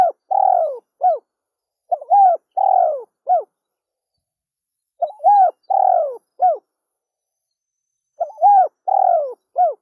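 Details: Spotted dove giving its mellow three-part coo about every three seconds, four phrases in all, each a quick note, a drawn-out soft coo and a clipped ending, against silence.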